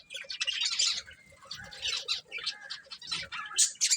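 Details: Budgerigars, a breeding pair, giving continuous squawky chattering with harsh rasping notes and a few thin whistled tones running through.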